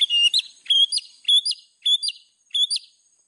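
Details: White-rumped shama master song for training birds: short bright phrases of two or three whistled, slurred notes, repeated about every half second, clear and loud against a quiet background.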